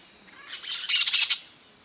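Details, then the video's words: A yellow-chevroned parakeet perched on a coconut palm produces a quick burst of shrill chattering notes, about five sharp pulses packed into under half a second, with a faint hiss behind. "PERIQUITO-DE ENCONTRO AMARELO (BROTOGERIS CHIRIRI), YELLOW-CHEVRONED PARAKEET, No coco da Bahia."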